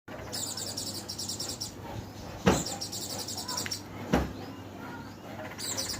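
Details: Oriental white-eye singing in the "dakun" style: rapid, thin, very high trilled phrases of fast repeated notes, one lasting over a second, another near the end, with sharp knocks and low background hum between.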